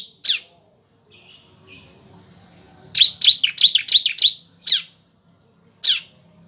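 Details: Bar-winged prinia singing, a recording meant to tutor caged songbirds: sharp high chips scattered between softer buzzy notes, then a quick burst of about six rapid chips, followed by two more spaced single notes.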